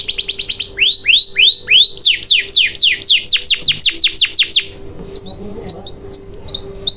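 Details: Canary song used as a lure to get silent canaries singing: loud repeated descending whistled sweeps, then rapid downward slurs, ending in short rising upslurred notes after a quieter pause; a faint steady low hum underneath.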